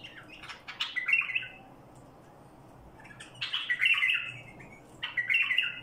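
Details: Badrawi bulbul delivering barwaz song: two bright warbled phrases, each a quick run of rich, slurred notes ending in a falling whistle, separated by about two seconds of quiet background hum.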